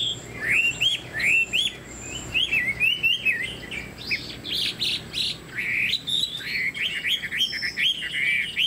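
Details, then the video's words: Chinese hwamei, a cage bird with a fanned tail and upright posture, singing varied clear whistles, upslurred and looping notes in short bursts separated by brief pauses, with some harsher buzzy notes mixed in. "Họa mi đuôi xòe, dáng dấp cao cầu | Hoạt Họa Mi"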